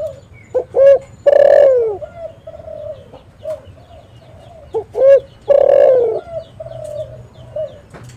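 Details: Spotted dove calling, used as a decoy to draw in and trap doves: two phrases of short clipped notes and a loud ringing coo that falls away, followed by soft murmured trailing notes.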